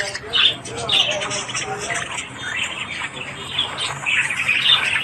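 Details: Budgerigars in morning chatter, rapid repeated chirps, roughly two a second, mixed with scratchy warbling and squawks from several birds.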